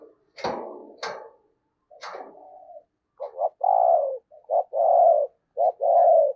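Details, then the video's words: Spotted dove kept as a lure bird, giving the 'thúc gù' coo at Tết to draw in wild doves; loud knocks and rattling open, then paired low hooting coos, a short note followed by a longer one. "Tiếng Chim Cu Mồi Thúc Gù Cực Hay và Hắp Dẫn Để Anh Em Kích Bổi Mùa Tết"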